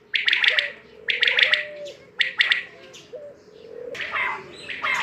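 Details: Repeated quail triplets, quick stacked notes delivered about once per second, with a continuous hum and brief low slurred whistles between phrases; a rougher burst near the end.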